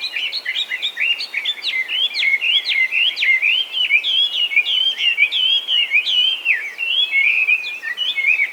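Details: Feral Chinese hwamei in Japan, a designated invasive species, singing without pause: a dense, continuous stream of loud, clear whistled notes, sharp upslurs and downslurs tumbling together in a rich, varied warble.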